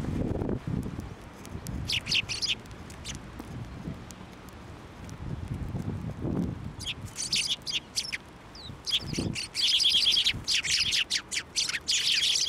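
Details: Sparrows at a Tenmangu shrine on 29 January 2024, flying onto a hand to take food. Bursts of short, high chirps come in clusters, most densely toward the end, over low rustling and handling noise.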